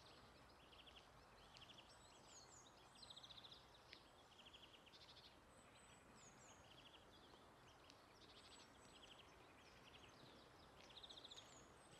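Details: European greenfinch (Chloris chloris) singing at Gon, Tjøme, Norway, in March 2024: soft, rapid twittering trills in short bursts every second or two, with a few thin high notes from other birds over a quiet hiss.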